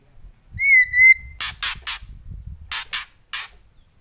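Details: A steady, level whistled note opens, followed by a White-rumped shama's harsh kretekan bursts in uneven groups of three and two, dry and rasping.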